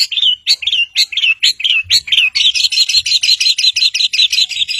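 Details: Long-tailed shrike singing loudly, used to provoke silent birds into singing: rapid repeated whistled notes that speed into a steady, dense trill-like series.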